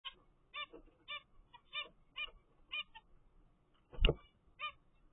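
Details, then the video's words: A captive-bred zebra finch chick on day 13 after hatching gives short, nasal, honking calls, roughly two per second, with one loud thump or knock near the end. "zebra finch baby"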